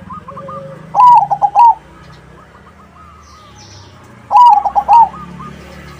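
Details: Zebra dove in crossing style, used to make other doves call back. Two loud phrases of quick warbling coos about three seconds apart, with softer distant dove notes between them and a faint high chirp.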